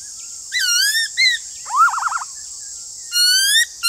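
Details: Black-throated laughingthrush singing a duel against another laughingthrush: loud rising whistled phrases, a wavering trilled note near the middle, then a long clear whistle, over a steady high hiss.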